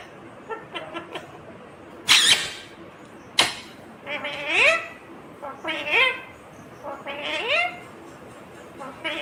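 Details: Green Indian ringneck parakeet talking: several rising, speech-like phrases with bright upper harmonics, interrupted early by two sharp, noisy bangs or clicks; otherwise quiet room.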